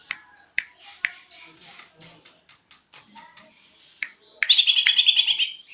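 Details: Greater green leafbird learning to sing: scattered sharp clicks and soft chatter lead into a loud, rapid, high trill of buzzy repeated notes lasting over a second at the end.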